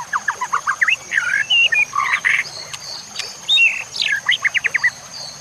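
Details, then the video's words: White-rumped shama song for training other shamas, backed by nature sounds and water: a lively jumble of chattering notes, short buzzy phrases and bright slurred whistles, with a thin continuous high whine underneath. "Cocok untuk pancingan murai batu AGAR LANGSUNG GACOR dan NGEPLONG"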